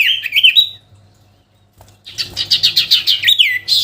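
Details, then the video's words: Sooty-headed bulbul singing to call a rival: a bright warbled phrase that rises and steps upward, a pause, then a fast run of repeated chattering notes, about ten in a second and a half, ending in a falling whistle, with a faint low hum. "SIRTU GACOR MEMANGGIL LAWAN‼️ Suara Asli Alam Durasi Panjang"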